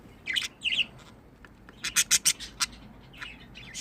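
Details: Chattering pet budgerigars give rapid high-pitched chirps and squeaks, with a quick run of four sharp clicking notes near the middle and softer scratchy twitters toward the end.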